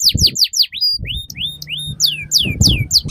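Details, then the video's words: Canary singing, a master song for teaching young canaries: quick falling sweeps repeated in pairs, a few rising whistled notes, then more rapid downward slurs, over low rumbling background noise. "PANCINGAN Burung KENARI Gacor Panjang || MASTERAN Kenari Paud Agar Cepat BUNYI"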